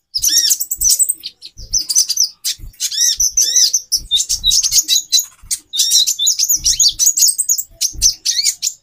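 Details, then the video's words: High twittering and sharp chirps from a female konin sunbird, used to raise a male's mating drive; repeated slurred notes arch up and down in fast phrases, with soft low thumps underneath. "Burung Konin Betina 4x terapi birahi. menaikan birahi jantan"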